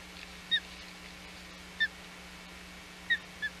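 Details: Osprey at the Hog Island nest on 21 June 2020, during a fish delivery to a chick; short, thin whistled chirps, four of them, spaced about a second apart, over steady low hum and hiss.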